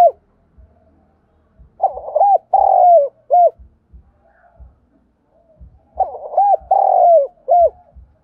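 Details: Decoy spotted dove of the Thổ strain in Vietnam, calling to attract wild birds: two matching phrases of deep, hollow, curved coos about four seconds apart, each ending in a longer slurred note and a short final coo, with soft low knocks between.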